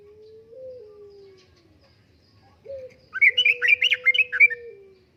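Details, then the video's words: Prolific yellow-vented bulbul tutoring song: a steady whistled tone at first, then a short burst of lively, bubbling notes in the 'uplik-uplik' style. "Kicauan Suara Burung Trucukan Gacor Uplik Uplik,Pancingan Trucukan Gacor,Masteran Trucukan"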